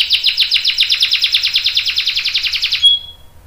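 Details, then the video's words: Canary long roll for training young canaries: a fast, even pulsing trill of about ten notes per second lasting nearly three seconds, ending with a brief thin whistle and quiet. "KENARI GACOR NGEROL PANJANG bagus buat pancingan dan masteran kenari paud dan dewasa"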